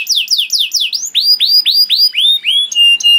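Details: Canary master song for young canaries: quick falling slurs, then rising swept whistles repeated about three a second, ending on pure steady whistled notes.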